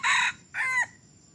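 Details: Red junglefowl that has crowed for only three weeks, taken out for decoy trapping. A loud rasping burst is followed by a drawn, slightly falling closing note of its crow over a quiet background.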